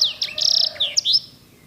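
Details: Edel/Herda sanger canary, admired for fine, luxurious rolls. Brief, dense phrase of high notes with a buzzy rolling trill in the middle, closing with a few separate sharp chirps.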